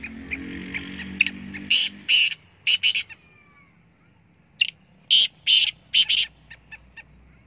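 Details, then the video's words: Black francolin calling from the top of a rock, giving two grating, rasping phrases of loud harsh notes followed by a few softer clicks, with a low hum at the start. "KalaTeetarKiAwaaz l Black teetarcallingl Partridgevoice"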